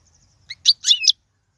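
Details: Short goldfinch song fragment in the 'royal' style for teaching young birds: a brief note, then two or three loud twittering, buzzy notes, over a faint low hum.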